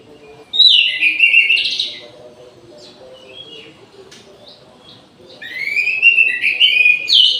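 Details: Orange-headed thrush in an aviary at midday, delivering two loud, rich phrases of slurred, descending whistles and chattering notes separated by a quiet pause with faint background chirps.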